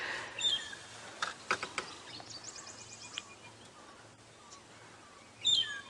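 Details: Magpie Shrike perched on a thorny knob-thorn branch at sunrise, on a dark cloudy morning in the African bush, gives clear, liquid whistled notes, perhaps territorial or seeking a mate, with sharp clicks and faint chirps from other birds between.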